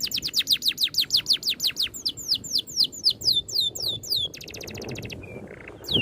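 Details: Oriental magpie-robin delivering a tightly packed rolling song with neat shots. Fast repeated high whistles slurring downward, then a buzzy trill and a few soft lower notes, with faint background rumble.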